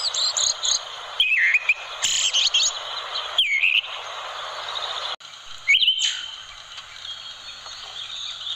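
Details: Orange-headed thrush with a sweet voice, recorded as a tutor for other birds: bright whistled and warbled phrases coming about every couple of seconds, some harsh loud bursts, fading after the middle to quieter, thin continuous twittering.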